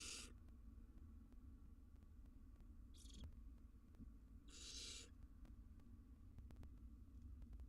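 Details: Wild barn owl nestlings in a monitored nest box, grooming each other: three harsh, broadband hissing bursts, the middle one short and the last lasting about half a second, over a deep rumbling hum and faint clicks.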